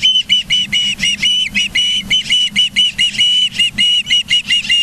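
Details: Continuous whistled calling from ospreys at the Charlo, Montana nest on 24 August 2023, morning: about eighteen shrill, level cheeps, each slightly slurred, repeated almost without pause.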